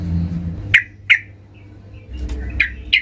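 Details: Yellow-vented bulbul female calling the male: a few sparse, sharp, slightly rasping chips spaced irregularly, with a low background hum between them.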